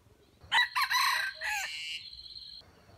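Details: Red junglefowl crow used as trapping bait to lure wild chickens: a loud, harsh crow in several broken rising and falling segments, ending in a steady high tone, with quiet background hiss.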